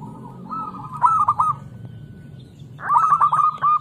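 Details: Local zebra dove song meant to stir lazy doves into voice: a rolling coo with clicking stutters, a pause, then a fresh burst of crackly trilled cooing, over low rumbling background noise.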